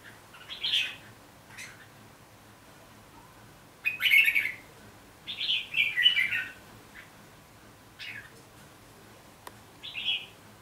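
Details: Red-whiskered bulbul giving fighting song: short bursts of bright, warbled whistled phrases separated by pauses of a second or more, over a steady low background hiss.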